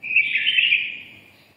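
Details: A single short phrase from a red-whiskered bulbul ('mí đỏ', 'siêu ché' style): a bright chirped opening running into a fluttering, rolling note that fades out within a second.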